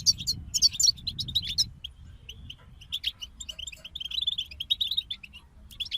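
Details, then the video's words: Several European goldfinches singing: a loud cluster of sharp chirps at the start, then scattered twitters and a run of rapid tinkling notes, over low background rumble. "King of Songbirds Goldfinch Group"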